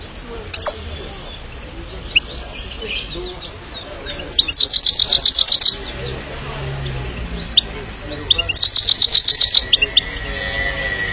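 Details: Himalayan goldfinch singing: two bursts of fast, high, thin twittering and chirping notes, each lasting about a second, separated by scattered single chirps over a steady, noisy background hiss.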